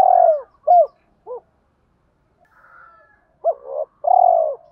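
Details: Spotted dove kept as a lure, calling in the thổ style to provoke fighting and attract wild doves: a long falling coo, two shorter hoots, a pause with faint twittering, then another coo phrase ending on a drawn note.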